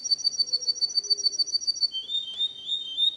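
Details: Canary song meant for young birds to learn: a fast high trill of evenly spaced notes, then a drop into a lower, rolling, bubbling phrase.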